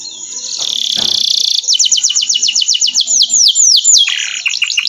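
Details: Canary master song: a buzzy trill, then a long series of clear descending whistled notes repeated about five per second, breaking into quick varied chirps at the end.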